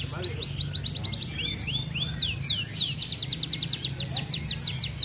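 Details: In fast, tight 'speed rapat' style, a near-moulting F1 canary with regional contest wins gives rapid trills, a few rising whistles and swoops, then a long, even, high trill.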